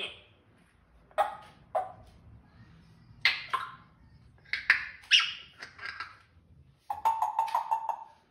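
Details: Talking parrot producing a string of short speech-like syllables at varied pitches, some clicky and abrupt, ending with a rapid run of buzzy repeated notes.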